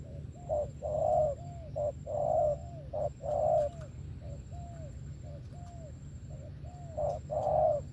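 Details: Spotted dove, 'thổ' song style with 'tàng': loud rounded coos alternating with quieter curved, falling notes, irregularly spaced phrases, steady low rumble in the background.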